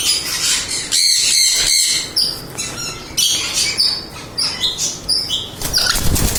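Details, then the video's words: Mealy amazon parrot giving harsh, raspy squawks in rapid, overlapping bursts, loud and noisy, with short gaps between calls. "Mealy Amazon Parrot."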